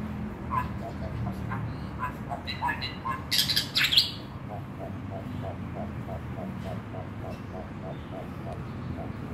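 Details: A male Bali myna sings a varied run of chirps and harsh notes, with a loud scratchy burst midway and a fast repeated note series after, over a low background hum.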